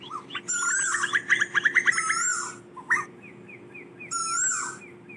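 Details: Asian koel calling the flock: quick runs of bubbling notes woven with long wavering whistles, then a few soft, spaced single notes and a final drawn-out whistle, over a faint hum.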